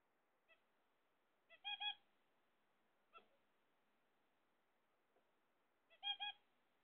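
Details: Pet zebra finches waiting for eggs trade nasal double honks and short ticks. Two strong paired calls sit about four seconds apart, with small single notes between them.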